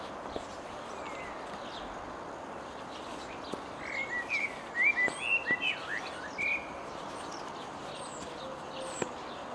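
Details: Common blackbird singing, filmed at a distance on a zoom camera: a short burst of warbled, whistled phrases mid-clip over steady background hiss.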